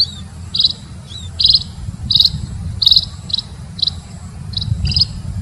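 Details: Munia (emprit) call played as a bird lure: sharp, high-pitched chirps in a loose uneven series, some doubled, with a faint thin whistle between them, against low rumbling noise.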